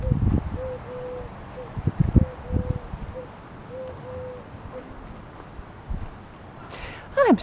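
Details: A Mourning Dove (Zenaida macroura) perched on top of a neighbouring house gives soft, low, hollow coos in a slow series of level notes, over rustling, handling noise and a person speaking.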